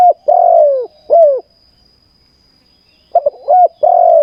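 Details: Spotted dove kept as a trapping decoy coos steadily: a long falling coo and a shorter one, a pause of nearly two seconds, then stuttered short notes leading into another long coo.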